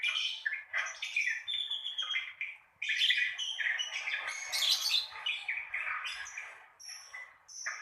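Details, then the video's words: Continuous ngekek chatter from lovebirds, meant to stimulate beginner birds to sing: fast, overlapping high-pitched squeaks and harsh chirps, almost unbroken, with a short gap near three seconds. "Pancingan Suara ngekek untuk lovebird Pemula"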